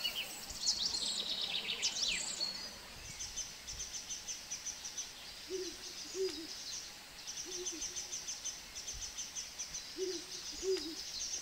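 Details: Song thrush in forest on Monte Nevoso mobbing a Ural owl, its predator, giving rapid, short, sharp high alarm notes in bursts with attacks in flight; low, soft owl-like double notes sound every two to three seconds.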